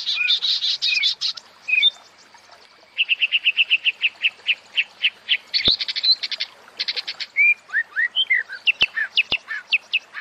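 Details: White-rumped shama song played to bring cage birds into breeding condition: varied rich whistles, a fast series of about fifteen evenly repeated notes, buzzy trills, then sweeping upslurred whistles with a few sharp clicks.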